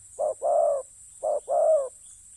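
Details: Spotted dove cooing during ground decoy trapping: two close phrases, each a clipped low note then a drawn-out, slightly wavering coo, loud and clear against a faint steady high hiss.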